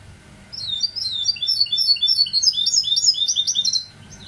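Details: Quick, chattering twitter from a goldfinch hybrid: many short high chirps and little slurs tumbling over each other for about three seconds, bracketed by brief quiet.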